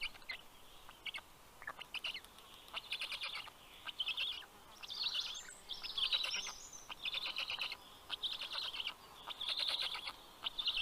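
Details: On a nest camera in Karula National Park, Estonia, black stork chicks beg as their father brings fish, late morning, 11 June 2023: wheezy, raspy bursts in clustered runs about once a second, thin songbird whistles above.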